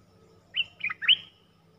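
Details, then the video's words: Red-eyed Bulbul, a wild bird drawn in by a caged decoy, gives a brief three-part phrase of slurred, warbling notes, quieter than the hum behind it. "Suara pikat merbah lekir"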